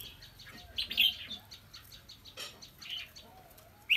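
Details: Red-whiskered bulbul kept as a decoy fighting bird in Kim Bôi, Hòa Bình, delivers scattered bright chirped notes and short warbles, with a soft low whistle and a background hum.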